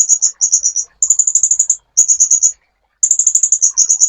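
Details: Sunbird song from a master recording for training songbirds: bursts of rapid, high, thin notes strung into sharp trills, with brief pauses between phrases.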